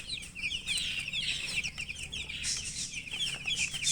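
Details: Baby chickens chirping: a dense, continuous chorus of many high, thin peeps overlapping throughout, quick short notes piling on each other with no pauses and no other clear sounds.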